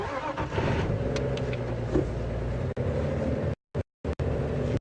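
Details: Only a running vehicle engine is heard on a safari drive at Djuma and Arathusa. The low mechanical hum cuts out briefly several times near the end.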